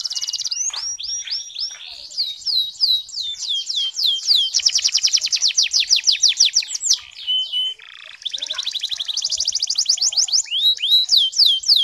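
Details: Canary kept in Pemalang, Central Java, Indonesia, delivering a long continuous song of rapid repeated downslurred notes and rolling buzzy trills, with a brief pause near the end before the fast phrases resume.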